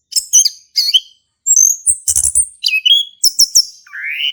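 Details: Singing male orange-headed thrush, ngeplong style, played to prompt a silent thrush: short high chirped phrases in quick succession, a harsh burst midway, ending with a rising slurred whistle.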